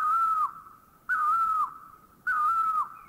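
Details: Great Barbet from Thailand giving a loud whistled call: three mellow notes, each held level for about half a second before sliding down at the end, spaced roughly a second apart, on a clean quiet background.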